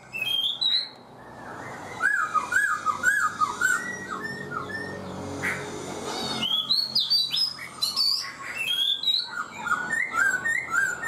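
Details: Rich song from a black-throated laughingthrush caged four months: clear whistled notes rising and falling, a series of looping slurred phrases, then a pause and more high, varied whistles.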